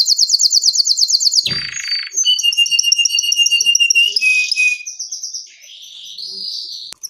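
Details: Canary's long gacor song used as baiting material: a fast rhythmic trill, a harsh buzzy rasp, then rapidly repeated whistled notes at two pitches, fading into softer warbling.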